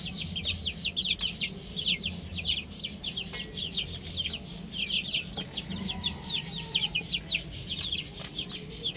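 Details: A flock of chicks on a roof chirps continuously, many high descending peeps packed closely together and sustained throughout, with faint low background noise.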